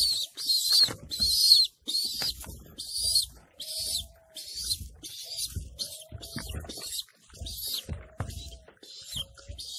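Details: Racing pigeons living in a loft, where parents feed their chicks: high hissing squeals repeat about every second in short bursts, with faint, low, drawn-out coo-like tones and shuffling below.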